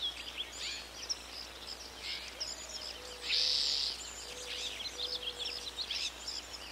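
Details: Collared aracari (Pteroglossus torquatus), call.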